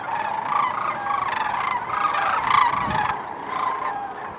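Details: A crowd of sandhill cranes in Iowa grassland calling at once: a continuous wash of raucous, rolling, rattling trumpet notes that overlap without pause.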